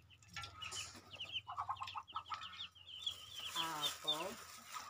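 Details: A pet crested myna (talking bird) during November rain gives quick, squeaky chattering notes, then a few harsh, nasal squawks near the end, over a steady low hum.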